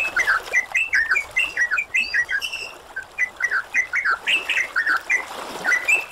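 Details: Yellow-vented bulbul song, bubbly liquid chattering phrases of short rising and falling notes tumbling quickly and overlapping as if several birds sing, over a soft hiss; the recording is set with flowing water, rain and splashing sounds.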